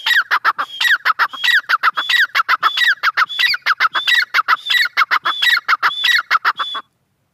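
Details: Grey francolin, known locally as teetar, giving a long run of loud, rhythmic call notes, sharp clucking pulses alternating with high whistled upslurs, repeated steadily for nearly seven seconds with no other sounds.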